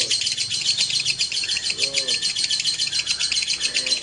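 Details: Male and female lovebirds placed together give a nonstop shrill twittering of fast, harsh chirps. A soft low murmur sits beneath it.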